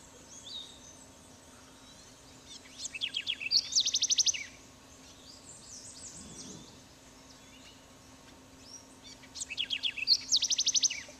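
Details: A house wren (Troglodytes aedon) in Trinidad, 2004, sings two bubbly bursts, each opening with scratchy, tumbling notes and ending in a fast, high trill of repeated notes, over a low steady hum.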